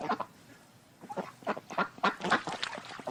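Ducks quacking in a rapid, uneven run of harsh, nasal calls, several overlapping, about three to four per second after a brief pause.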